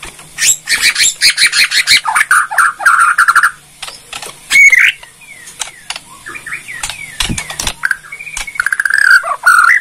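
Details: A Bornean white-rumped shama delivers rapid crackling rattles and chattering bursts, then clear whistled notes and trills, in a loud varied song.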